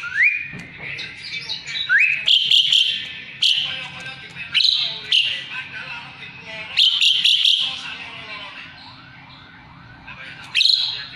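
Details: Singing Asian pied starling kept as a song source for magpie-robins: a couple of rising whistles followed by harsh buzzy bursts and chattering notes.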